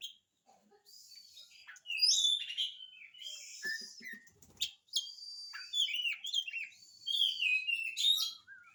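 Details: Energetic, varied song of an oriental magpie-robin, played to prompt quiet birds to reply. Dense streams of high whistles, slurs and clipped chips continue almost without a break, with a faint low rattle midway.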